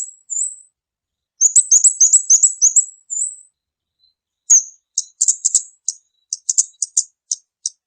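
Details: Kamade lure call: very high, thin chirped notes near the top of the range in rapid bursts, a run of quick twittering notes then a pause and scattered sharp ticks and chirps.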